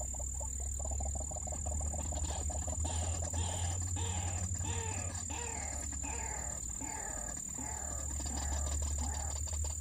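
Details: White-breasted waterhen during trapping, one caught by a snare at its neck: a long run of hoarse, rhythmic honking notes, several per second, accompanied by a persistent high whine and low background rumble.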